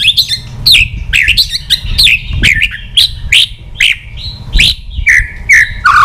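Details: Fired-up old wild-caught white-rumped shama, flicking its tail repeatedly, sings to provoke other shamas: sharp, high, falling whistled notes repeated about once a second with short warbles between them, over low rumbling noise.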